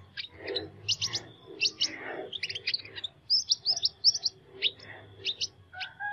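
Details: Sunbird giving an unusual song of fast, bright, high chirps and short trilled phrases, delivered in quick bursts, with some softer lower chirping and a low hum underneath.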